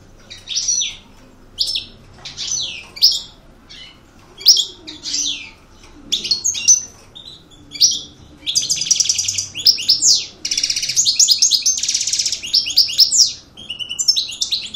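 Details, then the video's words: Aggressive coupleur European goldfinch singing a long, varied song: sharp high chirps and descending sweeps, then dense rattling buzzy trills and rapid twitters in sustained runs, in a quiet setting. "Chant maknine Chardonneret Coupleur Agressif"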